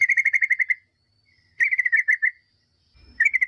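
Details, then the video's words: Song of the yellow-vented bulbul used to lure replies from other bulbuls: three close runs of rapid, bubbly notes on one level pitch, the middle phrase slightly slower and wavering, with a brief low thump near the end. "semua jenis burung trucukan dipastikan nyaut gacor dengar pancingan TRUCUKAN agar bunyi"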